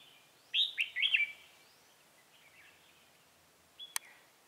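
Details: Trapping session on 28 October 2018 with a red-whiskered bulbul decoy luring rivals: one loud, rapid warbled phrase of three bright notes, then quiet, with a sharp click near the end.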